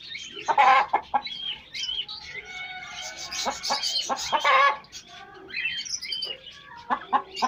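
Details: Pet hens greeting pet chicks: loud, abrupt clucks mixed with high, wavering chick peeps and a longer nasal note, the calls coming in uneven bunches.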